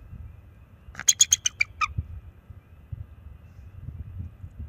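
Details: Young male bald eagle at a wild nest, close-up nest camera, NCTC, March 7, 2024, warning off an owl with calls and wing flaps: a quick chittering series of about six sharp, high, piping notes, the last slurring downward, over low background rumble.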